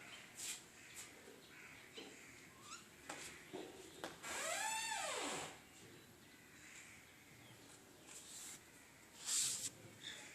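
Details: A Brazilian green parrot gives one drawn-out, arching squawk that rises and then falls, with scattered soft clicks and taps indoors.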